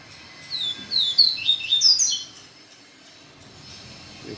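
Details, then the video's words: Yellow-bellied seedeater, Israel song style, excited by a day beside a female: roughly eight clear, downward-slurred whistles delivered rapidly over one and a half seconds, with faint background hiss. "Papa capim ISRAEL mexida de um dia de fêmea"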